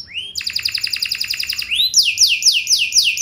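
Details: Singing canary, a lure meant to draw other canaries into answering: rapid rattling trill of identical notes, a rising whistled slur, then loud downswept notes repeated about four times a second.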